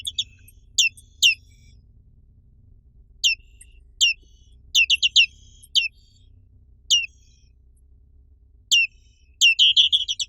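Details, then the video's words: Black-capped white-eye, endemic to Indonesia: high, sharply falling chirps, spaced singly and then in pairs and triplets, closing with a fast trilled burst; quiet low background noise. "SUARA BURUNG PLECI BLACK CAPPED"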